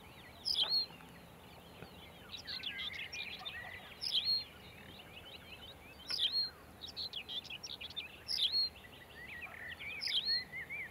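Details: Tawny pipit giving short bright high chirps about every two seconds, five in all, amid a dense twittering chorus of other small birds and constant hiss.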